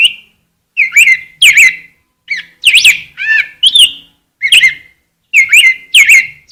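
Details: Rose-breasted grosbeak song: clear, liquid whistled notes rising and falling in short warbling phrases with brief silences between them; a clean recording with no other noise.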